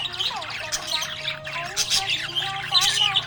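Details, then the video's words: Happy budgerigar giving rough, twittering chirps and squeaks mixed with quick whistled slurs, over a faint low hum. "Happy budgie chirping sound"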